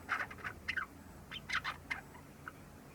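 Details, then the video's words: Young Java sparrow, about three months old, practising subsong in a new home: short chattering clusters of clicks and chirps, two busy bursts separated by a pause, then a few fading single ticks. "文鳥 ぐぜり（さえずり）の練習"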